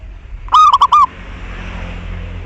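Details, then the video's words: Local zebra dove singing, a recording meant to coax other doves into song: one loud, fast phrase of four short cooing notes lasting about half a second, followed by quiet background hiss and hum. "Perkutut Lokal GACOR Pancingan Tercepat Buat Nyaut Bunyi"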